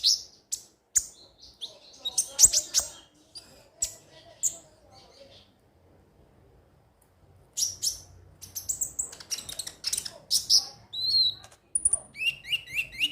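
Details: Konin lure song from a crimson sunbird: sharp high chips and twitters, a near-silent pause midway, then a rapid run of repeated thin falling notes at the end.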